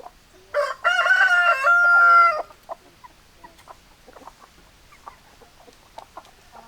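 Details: Rooster crowing: one loud, drawn-out, harmonic cock-a-doodle-doo lasting about two seconds, followed by scattered soft clucks and quiet background sounds.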